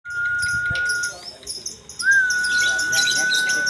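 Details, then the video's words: Lovebird singing in the gantang style at KMB: dense high chattering trills layered over a long, steady whistled tone that breaks off midway and resumes with a short upward slide; a brief voice in the background. "gantang burung love bird di kmb"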